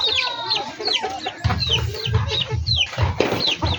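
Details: Backyard-bred chickens: dense strings of short, high, downward-curving peeps, with louder low rumbling and knocks entering halfway through.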